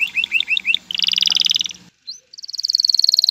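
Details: Male canary singing to prepare a female for breeding and nest building: a bright, high song of a few quick separate notes, then rapid buzzy trills at a fast pace, broken by a brief pause.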